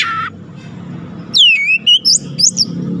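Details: Goce bird singing sharp, loud whistled notes: after a short opening note and a low rumble, a slurred descending whistle is followed by quick rising and falling chirps.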